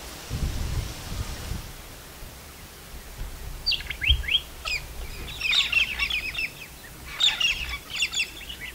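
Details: In the wild in Australia, galahs call: after a low rumble and a quiet stretch, a few sharp descending squeaks lead into clustered bursts of grating, high-pitched screeches over the last five seconds.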